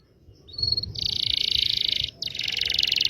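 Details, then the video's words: Local Indonesian canary singing a lure song meant to teach young canaries and start silent ones singing: a short high whistle, then a dense buzzy rolling trill for about a second, a brief break, and a second rapid roll. "PANCINGAN KENARI MACET BUNYI.. PANCINGAN KENARI PAUD BELAJAR BUNYI"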